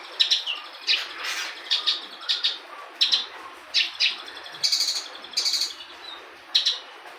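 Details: Local Horsfield's bush lark (branjangan) singing its full repertoire: short bursts of high, sharp chirps and trills, repeated roughly every half second to second, with brief buzzy notes between, over a quiet background.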